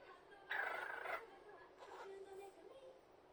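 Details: A pet cockatiel talking to itself mutters a string of mimicked Japanese words ("please kiss me", "kushu kushu") in a scratchy, nasal little voice.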